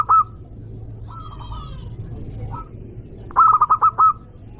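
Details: Local zebra dove with a loud voice, used to provoke rivals: a brief note at the start, softer distant coos, then one full phrase of quick tonal notes ending in a long coo, over a steady low hum.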